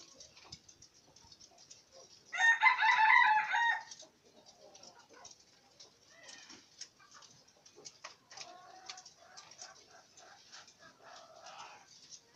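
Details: A green junglefowl being trained gives one loud, hoarse crow lasting about a second and a half, followed by faint scattered chirps and soft background noise.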